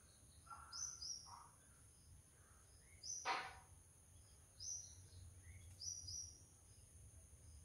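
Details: An Oriental magpie-robin visiting a backyard gives short, high whistled notes and a few lower warbled phrases, spaced irregularly, over a steady high insect hiss and low rumble.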